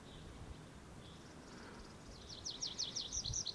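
A tree pipit gives a quick series of six or seven high, sharply down-slurred notes after a few faint opening notes, over a low background rumble.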